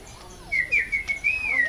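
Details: Parrot giving a sustained, wavering whistle that holds a steady mid-high pitch with slight rises and dips for over a second, against a faint background hum.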